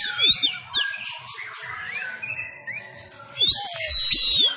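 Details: Home-trained Sumatran white-rumped shama in fighting song: clear slurred whistles, short ringing high notes and rippling trills, loudest at start and end, with faint low knocks beneath.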